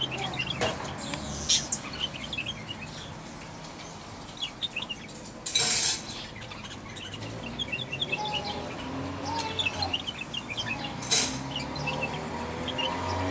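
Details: A juvenile common blackbird (Turdus merula) gives thin, high chirps in scattered clusters against a soft hiss, broken by two sharp clattering knocks.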